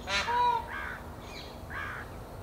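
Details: Indian peafowl giving an alarm call in the forest, warning that a predator, most likely a big cat, is on the prowl: a loud, harsh, harmonic-rich cry, then two shorter honking notes with a pause between.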